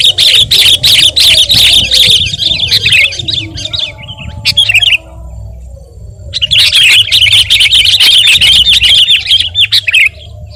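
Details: Sooty-headed bulbul singing energetically for use in tutoring and luring birds: a long stream of fast, shimmering high chatter, a pause of about a second and a half, then another sustained run, over a low hum.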